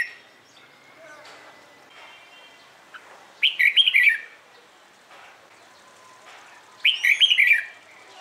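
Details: Morning singing of a red-whiskered bulbul for training contest birds: two loud bubbling phrases of fast slurred whistles about three seconds apart, with faint chirps between.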